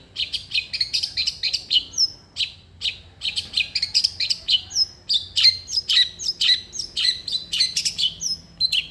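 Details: Long-tailed shrike singing, used as a lure for shrikes that are slow to sing: a fast, varied chatter of scratchy high notes mixed with brief clear upslurred whistles, delivered almost without pause.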